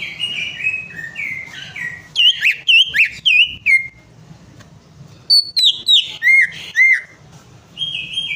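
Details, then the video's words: Song of a greater green leafbird, used to prompt a silent bird: level whistles stepping downward, then bursts of bright rising-and-falling notes in quick series, separated by quieter gaps with a low hum. "PANCINGAN CUCAK IJO MACET PARAH"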